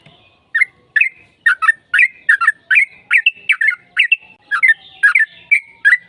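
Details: Sooty-headed bulbul singing a lure song meant to draw a reply, in energetic fighting style with long phrases: a steady run of about fourteen quick, warbled chirps roughly twice per second, each clipped and bright.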